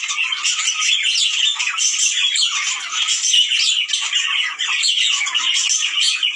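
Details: Budgerigar chorus used to stimulate breeding in males and females: constant rasping squawks mixed with quick whistled chirps, many birds calling at once without a break.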